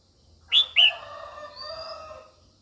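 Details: Female red-whiskered bulbul singing to excite males, giving two loud, sharp falling notes that trail into a drawn-out, softer tonal sound lasting over a second.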